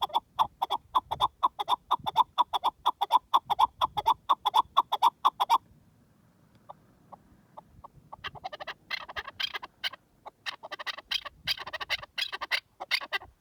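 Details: Partridge in the wild repeating a loud, metronomic chuck about twice a second for five seconds, a brief near-silence, then fainter, faster chattering clucks in clustered bursts.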